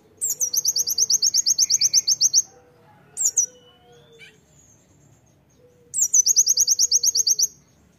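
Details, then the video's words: Oriental white-eye in loud tembakan song, kept as master song for training: a long, fast series of shrill repeated notes, then a short fragment, faint soft whistles, and another long rapid high burst. "KONIN GACOR ISIAN TEMBAKAN PLECI MEWAH"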